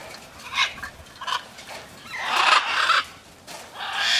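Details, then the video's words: Macaws in free flight, two short faint squawks first, then a longer, louder harsh screech and another rising raspy call at the end. "flying macaws"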